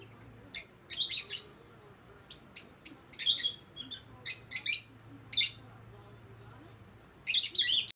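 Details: Two young pet lovebirds in a mating ritual, scratching itchy ears and circling each other; the older female grows annoyed with the inexperienced male. Bursts of shrill, high chirps and squeaky chatter come in short clusters, with a soft low hum beneath.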